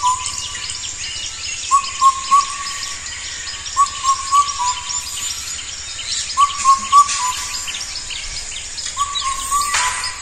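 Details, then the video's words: Loud four-note whistled call of an Indian cuckoo (Cuculus micropterus), repeated in evenly spaced phrases about every two seconds. A steady high hiss and faint rustling sit behind it. "KETEKEE BIRD কেতেকী চৰাইৰ মাত Indian Cuckoo"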